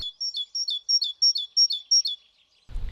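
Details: Great tit (Parus major) in the city of Neuchâtel during lockdown, singing a bright, metallic two-note "titu titu" phrase, high then lower, about seven times at a quick even pace, ending with a low rumble.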